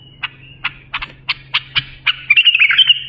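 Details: Bulbul singing, a recording meant to teach young bulbuls: seven sharp, evenly spaced notes roughly three a second, flowing into a liquid, tumbling warble at the close; soft hum in the background.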